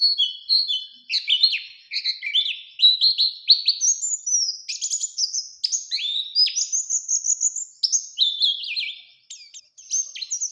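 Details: Varied warbling of an Oriental white-eye in 'ngalas' style, used as a lure to make other white-eyes sing: ten seconds of jumbled high chirps, twitters and short whistles shifting up and down in pitch, delivered quickly and continuously.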